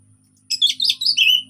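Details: Orange-headed thrush in relaxed song to stimulate silent birds: one rich, rapid phrase of warbled, overlapping whistles and chirps lasting about a second, sliding lower toward the end.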